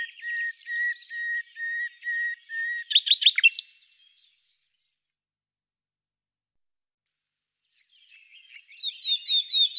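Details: Common nightingale singing, recorded during a thermal-technology survey of this secretive bird: a row of even, steady mid-pitched notes about twice a second, then a fast loud rattling burst, a long silence, and another phrase rising in the final seconds.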